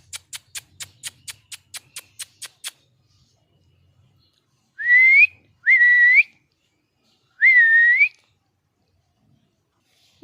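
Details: An angry pet parrot: a rapid train of crisp clicking taps followed by three loud, grating squawks, each rising and slightly arched, spaced roughly a second apart in a quiet room.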